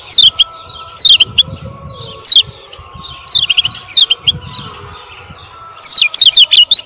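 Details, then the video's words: Male lemon-bellied white-eye of Lombok, chirps used to train and lure other birds: loose groups of sharp falling notes spaced a second or so apart, ending in a quick cluster, over a constant high hiss and faint low rumble. "SUARA BURUNG KECIAL KUNING MASTERAN KECIAL KUNING PANCINGAN KECIAL GACOR"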